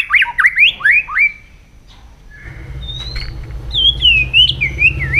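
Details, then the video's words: White-rumped shama singing in the morning during voice training: slurred whistled phrases sweeping up and down, a short pause, then higher rolling whistles with faint low hum beneath. "chòe lửa hót sáng luyện giọng chòe lửa hót"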